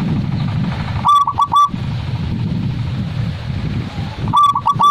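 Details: Zebra dove (perkutut) singing in a style favoured by collectors: two short phrases of three clipped, tonal coos each, the first near the one-second mark and the second at the end, over steady low rumbling background noise.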